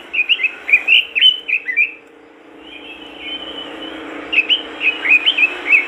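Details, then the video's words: Robin (burung robin) singing energetically, a recording meant to prompt other robins to sing: sweet, sliding whistled phrases of quick up-and-down notes, a quieter stretch midway, then a fresh burst of twittering. "TOP masteran burung robin gacor dor,bikin robin lain ikutan gacor"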